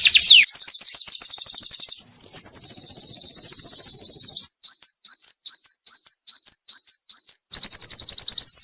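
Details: White-eye 'ngalas gacor' masteran singing: long sustained high buzzy trills, then evenly spaced short chips about twice a second, closing with another dense trill.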